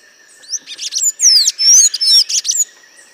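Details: Golden-chevroned Tanager from southern and southeastern Brazil and Bahia: a quick high-pitched series of sharp squeaky notes and clear downslurred whistles, about two seconds long, over a steady faint high hum.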